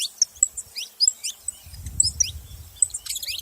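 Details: Saffron finch making noise: scattered high tinkling chirps and short slurred notes, with a low rumble entering in the second half.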